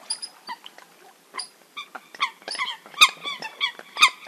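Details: Eurasian coots recorded as a hunting call: a busy series of short, nasal, harmonic notes from several birds, some high thin squeaks, then louder sharp clipped calls near the end.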